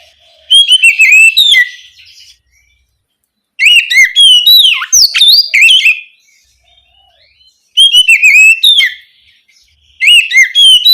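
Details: Night-time 'ngeplong' song of an Oriental magpie-robin, played to prompt spotted juvenile magpie-robins to reply: rich phrases of piercing whistles, rapid trills and swooping slurred notes come in three-second bursts with silent gaps between.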